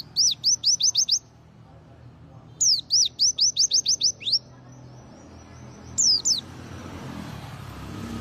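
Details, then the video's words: White-eye singing intense tembakan-style bursts in the morning after bathing: three runs of quick, high, down-slurred whistled notes, about eight notes per run, separated by short pauses, with faint background hum. "tembakan burung pleci full ngebren pagi hari setelah mandi"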